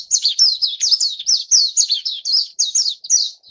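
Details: Hungry Japanese white-eye nestlings call steadily during feeding, each note a piercing high chirp sliding downward, repeated in a fast, even pulse of roughly four per second.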